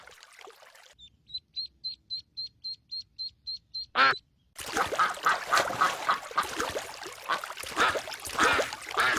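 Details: Ducks on a pond: a run of thin, evenly spaced high peeps, a sharp burst, then a dense, overlapping chorus of harsh quacks filling the last half.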